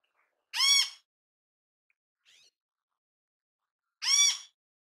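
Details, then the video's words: Great kiskadee in natural habitat: two harsh, buzzy calls spaced about three and a half seconds apart, with a faint soft note between them. "Grande Canção Kiskadee! Grande Canto Kiskadee! Ótimos sons de Kiskadee! Grande Chamada Kiskadee!"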